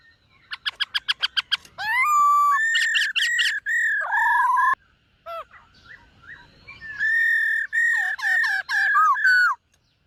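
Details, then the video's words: Caged white-cheeked laughingthrush singing in the morning to train its voice: a quick run of eight short clicking notes, then long loud whistles, falling slurs and bright upslurred phrases, with a brief quiet gap mid-sequence. "Khướu BẠC MÁ hót MÚA luyện giọng . Khướu hót sáng luyện giọng kích bổi"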